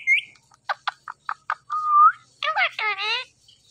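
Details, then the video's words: Indian ringneck parakeet, green plumage, talking: a brief rising whistle, a series of dry clicks, a smooth upward whistle, then wavering speech-like syllables in a quick phrase. "Beautiful Green Ringneck Talking Compilation"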